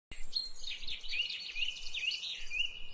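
Birds singing in a busy morning chorus: high, twittering and chirping notes that overlap continuously, with a few clear whistled slurs, over low background rumble.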